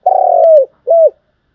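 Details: Spotted dove cooing, thúc gù style, played as a lure to train decoy birds: one long, slightly pulsing coo that dips downward at its end, followed by a short rounded note, in a quiet setting.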